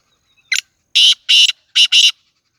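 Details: Black francolin in Sindh, Pakistan: one short harsh note, then two grating bursts close together, a pause, and another harsh pair, loud against a silent background.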